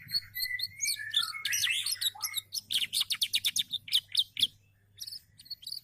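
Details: Caged canary in gacor form, an energetic, frequent singer, pouring out a varied song: a smooth whistled rise, dense buzzy bursts, then a run of rapid, evenly repeated sharp notes before short trills; a faint low hum underneath.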